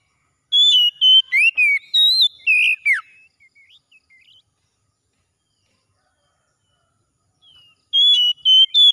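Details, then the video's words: Morning song of an Oriental magpie-robin: a quick series of bright whistled notes and downward-slurred phrases, a few soft chirps during a long quiet gap, then another loud run of high whistles. "OCEHAN KACER PAGI HARI"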